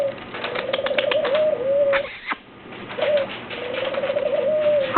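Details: Captive African grey parrot kept at a technical school, vocalizing while being offered a grape: steady wavering whistled notes with a brief louder sweeping call midway, then the warbling whistle resumes.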